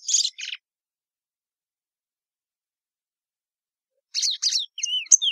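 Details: Song of a plumbeous seedeater, short high buzzy notes at the start, a long silence, then a rapid run of chirps ending in clear whistled slurs, some falling and some rising.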